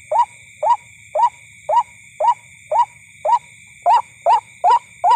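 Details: At night near a corn field, a white-breasted waterhen heard during bird hunting gives a steady series of brief, rising nasal notes, about two per second, growing slightly louder and quicker toward the end, with insect drone and low background rumble.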